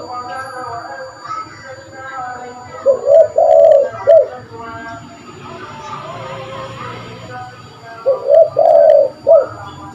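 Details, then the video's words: Actively calling spotted dove, a call used to lure birds: two low, soft three-part coo phrases about five seconds apart, over murmuring background voices and a low hum. "Burung tekukur gacor pas buat pikat burung"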